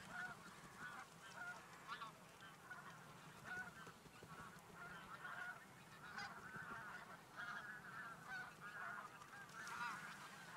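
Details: Flock of migrating geese at a stopover, flying from feeding fields to a lake for the day. Dense overlapping honks and cackles sound continuously, many birds calling at once in a steady noisy chorus.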